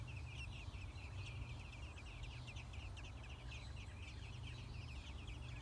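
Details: At the nest, American robin babies six days old being fed produce a dense, continuous chatter of tiny high chirps, with a persistent deep rumble underneath.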